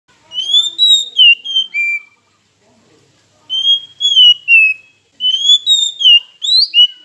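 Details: Oriental magpie-robin song used as a lure to provoke silent rival birds into singing: three bursts of clear, sweet whistled phrases, each a run of four or five rising and falling notes separated by short pauses.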